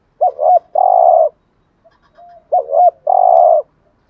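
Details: ["Spotted dove in the 'gù thúc' cooing style, played to lure wild doves. Two phrases of a wavering double note and a long level coo, about two and a half seconds apart, with a faint soft note between."]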